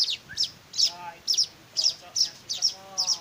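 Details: Weaver chicks beg as they are hand-fed: high chirps, often doubled, about twice a second, with faint low tonal sounds in between.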